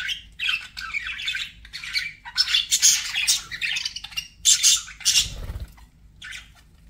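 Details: Pet budgerigars squabble in rasping, squawky chatter mixed with high squeaks, in uneven bursts, with a low thud near the end.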